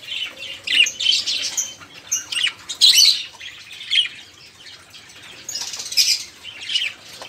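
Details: Noisy budgerigar chatter used to coax caged songbirds into song: clusters of scratchy squawks and sharp chirps, a quieter stretch in the middle, then renewed bursts.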